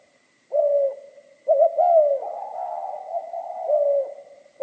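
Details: Spotted dove song in the mixed 'kim' voice style: a hoarse coo, then a short doubled note leading into a long wavering, gravelly coo that trails into a steady burr and a final falling note.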